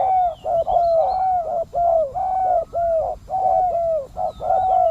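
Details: Spotted dove used as a decoy to attract wild doves, cooing: mellow mid-pitched coos in quick, slightly uneven phrases, each note gently arched, over a rough rural background hiss.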